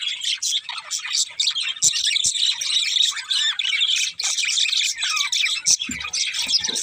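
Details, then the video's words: Budgerigars chirping and squawking together, a thick chatter of high twitters punctuated by sharp clicks and a few harsher squawks. "Cute Budgies Chirping Sounds"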